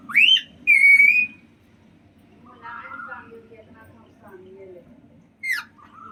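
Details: Pet Alexandrine parakeet, male, over one year old, kept indoors and learning to talk: two loud rising whistled squawks near the start, then soft low chattering and a final sharp call.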